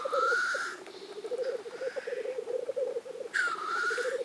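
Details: Black grouse displaying at a lek, Innvik 2014: steady low bubbling warbles throughout. Loud rushing hissed sneezes come at the start and again after three seconds.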